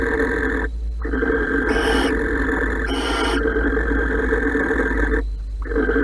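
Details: A pair of barn owls mating inside a nest box at Holten, 16 March 2020. A steady husky wheeze carries two strong hissing screeches, each about half a second long.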